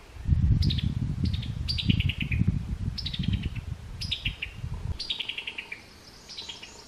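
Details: Summer tanager chuckling call notes, quick descending stuttered series of clipped notes repeated about six times, over loud low rumbling background noise.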